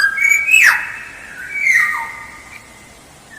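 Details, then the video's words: Black-naped oriole song used as a lure: two mellow whistled phrases, each with a short sliding flourish, about a second apart, over a steady low hiss. "Suara Pancingan Kepodang Emas Gacor"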